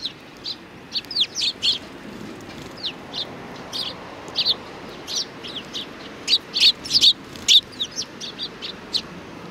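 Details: At a Tenmangu shrine in Japan on 4 July 2019, several sparrows chatter in short, high, clipped chirps, in quick irregular bursts and clusters through the whole stretch over soft background noise.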